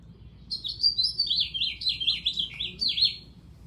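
House Finch song: a fast, chattery warble of many short notes crammed together, rising and falling in quick slurred phrases, with a faint low hum behind.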